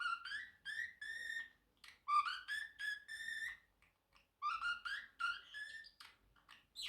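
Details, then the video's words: Pacific parrotlet, a pet bird, whistling: clear tonal whistles with rich overtones, each short phrase rising slightly, repeated in groups separated by brief pauses. "Parrotlet Bird Making 10+ Sounds - singing, talking and whistling"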